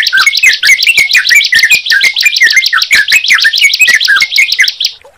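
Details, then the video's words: Sunda pied chat and yellow-vented bulbul, brought together, pour out a dense, unbroken chatter of quick, bright, high-pitched notes, about ten a second, running without pause throughout. "Suara Ciblek Dan Trucukan Jika Dipertemukan"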